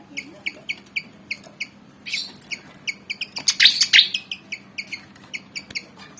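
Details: Black and white Javan fantail, about 19 cm, eager to fight: a regular string of crisp doubled chirps, about three per second, interrupted midway by a loud rasping chatter.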